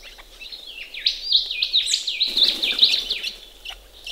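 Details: Bathing ring-necked parrots at a pond in Australia on a chilly sunny morning, with a steady stream of fast, wavering, scratchy chatter notes.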